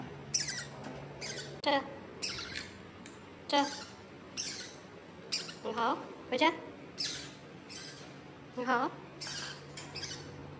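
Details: Pet Pacific parrotlet on day 73, having learned to say "go home" in Chinese: short raspy chirps and squawks mixed with brief speech-like bursts, repeated every second or two, with human speech heard around them.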